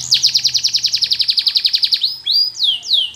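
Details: Flute-style song of a Russian canary used for training, opening with a steady rapid trill of about twenty evenly spaced notes, then clear descending whistled slurs.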